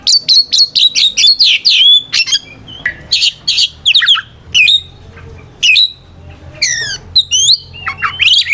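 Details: Kacer, the white-rumped shama, singing a ngeplong fighting song that calls out rivals: a fast series of sharp downslurred chips, then spaced harsh notes and whistled slurs with short pauses.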